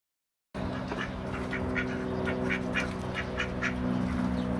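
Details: Ducks fighting, recorded on a Panasonic SD9: rapid harsh quacks, several per second, over a steady low hum after a short silent start.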